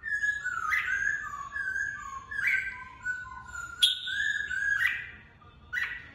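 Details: Caged red-whiskered bulbul singing to train fighting birds: a run of soft, clear whistled notes that glide down and step back up, broken by a few brighter sharp accents.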